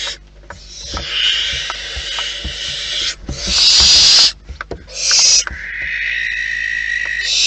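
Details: Barn owls in the nest in the wild: long raspy hissing, then louder sharp bursts, followed by a drawn-out, more tonal screech, with scattered knocks and scraping sounds.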